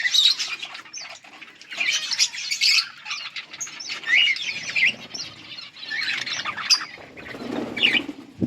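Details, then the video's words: Yellow budgies chirping on August 18, 2024, with scattered warbles and sharp chirps in uneven bursts, plus some wing flutter and rustling near the end. "Beautiful yellow budgies chirping sounds"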